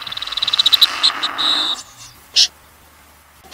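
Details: A Common snipe, recorded in 2020 and used as a trapping lure, gives a fast, high ticking series that speeds up, then a short thin sustained note and one sharp, harsh burst.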